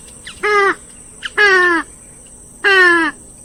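Three harsh, nasal honks from a purple swamphen, each slightly falling and about a second apart, over a steady high insect whine.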